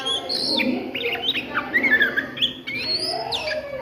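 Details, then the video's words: Oriental magpie-robin in midday song: clear whistles, short downslurred notes and a rapid warbled phrase in the middle, ending on a high rising whistle, over a constant low background drone. "SUARA KACER NGRIWIK DISIANG HARI"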